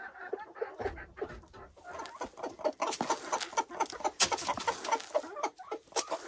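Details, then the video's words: Silkie chickens kept on a Vermont hill homestead, a busy stream of overlapping clucks and short chattering notes, rapid and irregular, with scratching and rustling noises throughout. "Relaxing Silkie Chicken Sounds"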